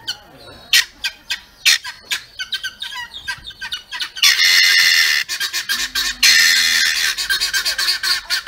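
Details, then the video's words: Great blue peacock calling, with a run of short harsh squawks followed by two loud, drawn-out brassy wails near the middle and the end, separated by more clipped squawks. "How Peacock FLY/call?"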